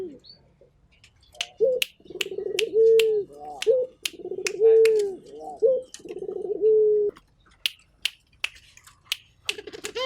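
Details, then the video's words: Barbary dove (local puter) from Indonesia cooing actively: three low purring coos with sustained steady endings, set among frequent sharp clicks and knocks, then a short pause. "Burung Puter Gacor"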